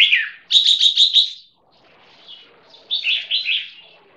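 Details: Keke of a crossbreed red-whiskered bulbul (jambul) kept for song competition, one year six months old: a descending slur, then a quick rolling trill of bright notes, a pause, and another stuttering burst of whistles.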